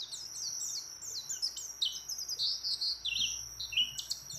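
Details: Mountain white-eye female calling a male while in breeding condition: busy high chirping and short trilled phrases, some notes swooping downward, over a faint steady hiss.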